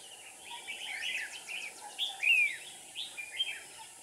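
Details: Red-whiskered bulbul decoy used for trapping, 7 April 2019: bright chirped and warbled notes between about two and four thousand cycles, a loud rising-falling whistle near the middle, several overlapping birds, steady high background hiss.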